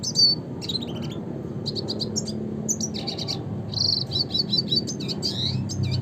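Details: Red siskin (Spinus cucullatus) singing a lively, rambling twitter of high chirps, short buzzy trills and brief whistled notes, nearly continuous over six seconds, with a low steady hum underneath.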